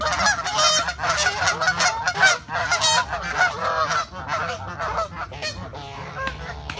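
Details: Fighting geese give rapid, raucous honks and shrill squawks in tangled bursts, loudest in the first three seconds, then tapering into scattered, quieter calls.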